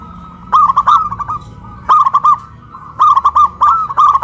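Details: Local zebra dove hoisted on a pole in Kuningan, West Java, cooing loudly; four bursts of rapid rolling coos, each starting with a rising note followed by a quick run of short notes.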